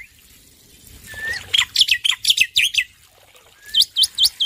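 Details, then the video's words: Male black-winged myna, loud prolific singer, recorded as training audio for stressed birds: a soft rising whistle leads into a quick series of sharp, piercing chirps, then another whistle and four more chirps. "Masteran Jalak Putih Jantan Gacor Suara Keras"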